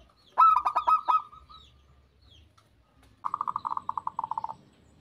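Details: Perkutut, the zebra dove, singing: a quick run of loud clipped coos that trails off, then after a pause a soft, fast rattling trill of about a dozen evenly spaced notes.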